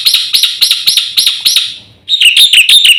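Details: Javan white starling in full, lively song, a master recording used to provoke other birds into singing: bright ringing notes about three per second, a short pause, then rapid rising and falling whistled phrases.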